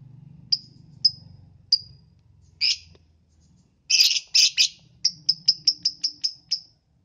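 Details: Lovebird calling in the morning, played to prompt other lovebirds to sing. A few widely spaced shrill chips, then a burst of harsh, noisy squawks, followed by a quick run of high sharp chirps about four per second, over a faint low hum.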